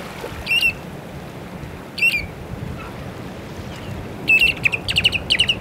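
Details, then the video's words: A Short-billed Dowitcher at Pillar Point, California, gives mellow whistled notes, first single, then quick triplets like 'tu-tu-tu', over a low rumble of wind or surf. "Short-Billed Dowitcher"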